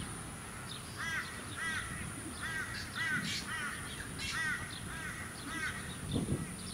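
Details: Repeated nasal, arched mew calls of an Australian wood duck (Chenonetta jubata), roughly one every half second, at a small artificial lake on the Sunshine Coast, Queensland, February 2018, with faint birdsong and suburban background noise.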